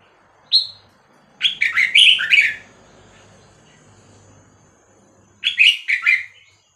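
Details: Vietnamese Red-whiskered bulbul singing a '3-4-5-6-7' style song, played to teach young birds and excite them; bright, quick warbled phrases of rising and falling notes, one short note then two longer bursts seconds apart, over a faint low hum.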